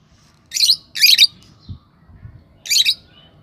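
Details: Lovebird chirping: three harsh, buzzy high chirps, a pair close together then one more about two seconds later, over a faint low hum.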